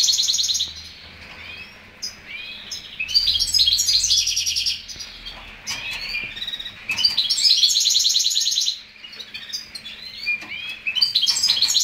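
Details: Hybrid of a male greenfinch and a female canary singing a long, rapid twittering song of high trills and chirps, in bursts with brief pauses, over a low hum.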